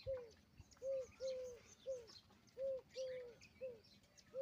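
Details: A peahen, Indian peafowl, repeats clean arched mid-pitched notes, single and paired, roughly twice a second, with soft chirps from other birds faintly behind.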